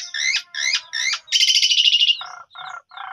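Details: Asian pied starling (jalak suren pundung), phone-recorded lure meant to make birds sing: three repeated arched whistled phrases, a grating rapid chatter, then three short low nasal notes.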